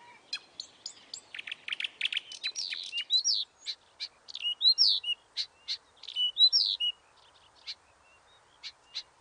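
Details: Nightingale singing a varied, high phrase: sharp clicks and short chips that speed up, then loud slurred whistles and rapid notes, ending in a few spaced ticks.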